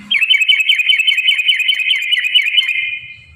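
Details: Yellow-vented bulbul, its song used to provoke other bulbuls into singing: about three seconds of rapid, continuous, wavering whistled chatter that holds a steady pitch band, then fades out into faint low background noise.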